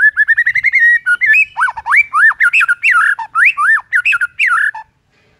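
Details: White-rumped shama in morning song aimed at rival birds: a fast string of clear rising whistles, then loud swooping, slurred whistled notes tumbling up and down without a break.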